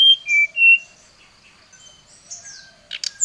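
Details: Brown-chested jungle flycatcher in an agitated lure song: three loud, pure whistled notes open, then soft scattered notes and a few clicks, ending on a sharp high whistle.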